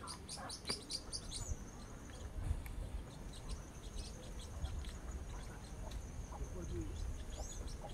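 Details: Blue-winged parrotlet (tuim) giving rapid, high, scratchy chirps and short twittering notes, over a steady low rumble of background noise.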